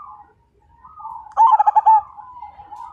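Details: Vigorously singing zebra dove said to prompt other birds to join in, giving a single loud burst of quick throbbing coo notes midway, framed by softer, longer cooing from nearby doves.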